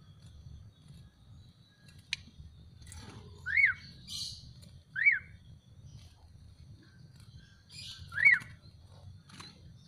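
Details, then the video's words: Black-collared starling (jalak suren), just bathed and sun-dried, gives three short, clear whistled notes that rise then fall, spaced a few seconds apart, over a faint low rumble. "JALAK SUREN"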